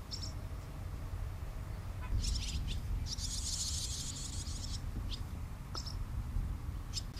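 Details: Barn swallows by their nest while the parents guard the young: short high chirps, then a sustained bright twittering chatter lasting almost two seconds, followed by scattered single high notes, over a steady low rumble.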